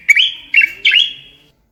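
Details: Bulbul singing, for training birds to sing: three short whistled bursts, each a rising twist followed by a steady held note that fades away, clean and loud with no other sounds.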